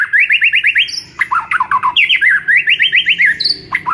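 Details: Master song of the white-rumped shama for training a silent bird: dense, fast series of bright whistled notes, about four per second, broken by a few high sweeps.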